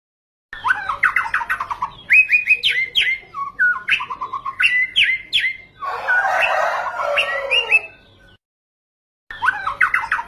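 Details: White-rumped shama in continuous song with a full range of phrases, used to rouse other birds: descending runs of notes, ringing whistles, short trills, a harsh chattering burst and a final run after a pause.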